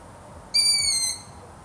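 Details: A lone long-eared owl call: a high, thin, slightly falling squeal of about two-thirds of a second, clear against near silence.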